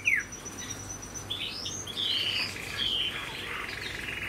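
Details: Chinese hwamei kept in a cage sings a sharp downward note, then long smooth whistles that glide up and down, ending in a soft buzzy trill over faint room noise.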